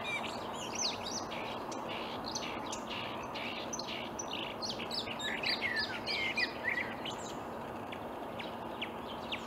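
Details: Marsh warbler in reed at Upplands Väsby, Sweden, on an early May morning in 2020, delivering a hurried jumble of ticks, chips and short whistles, rising to a denser, louder burst of warbling midway before fading.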